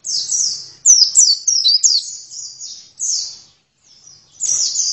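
An oriental white-eye sings a rapid, very high, thin twittering warble in bursts of sliding notes, with brief pauses between phrases.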